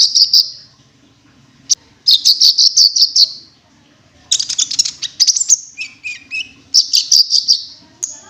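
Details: Lure call of the cinereous tit, wingko style: fast series of ringing high chips in bursts of about six, broken by brief pauses, with a pair of lower whistled notes midway.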